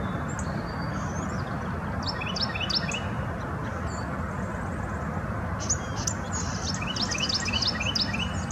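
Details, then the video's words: Foraging Carolina wren calling in February 2019 at a farm in Hampton Roads, Virginia: two runs of rapid, repeated bright notes, the first around three seconds and the second from six to eight seconds, set against constant low rumbling noise. "Carolina wren calling (and foraging)"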